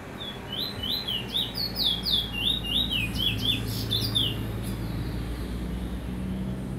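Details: Lesser seed finch in Trinidad singing a quick run of slurred, whistled notes, each bending down then up, strung together for about four seconds before stopping; steady low rumble underneath.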